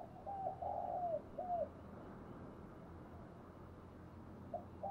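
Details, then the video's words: Decoy spotted dove cooing to stimulate newly caught birds to start calling: a short run of low, hollow, rounded coos in the first two seconds, then quiet, with two more coos at the end over a steady low hum. "Tiếng chim cu gáy kích bổi nhanh nổi hiệu quả, cu gáy mồi luyện bổi nhanh gáy và hay nhất"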